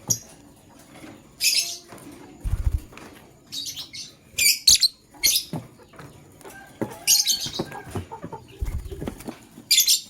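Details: Male lovebird choosing a partner, giving harsh, shrill chirps in short bursts every second or two, with soft fluttering and low thumps between them.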